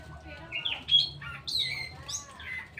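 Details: Straw-headed bulbul singing: short, rich whistled phrases that swoop up and down, several bright notes in quick succession, over a faint low hum.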